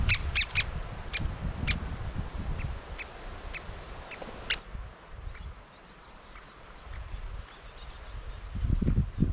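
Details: Young great spotted woodpeckers with an adult, filmed on a GoPro: sharp, short, high calls repeated rapidly, several per second in the first seconds, then sparser and fainter, over low rumbling and knocking noise close to the camera.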